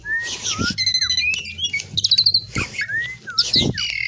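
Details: Asian pied myna (jalak suren) in lively song, mixing clear whistles that slide up and down, fast rattling trills, squeaky chirps and dry clicks, with a low background hum.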